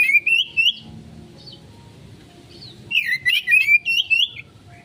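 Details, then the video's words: Oriental magpie-robin konslet song used as a lure: a short upward-rising whistled phrase, a pause of faint high notes, then a lively run of repeated rising whistles. "Pancingan Burung Kacer konslet,respon cepat...!"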